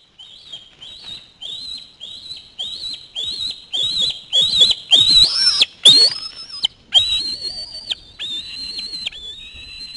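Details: Young osprey screaming as a parent flies in with a fish at the nest; a run of shrill, high, whistled screams repeated about twice a second, rising into longer wavering wails midway.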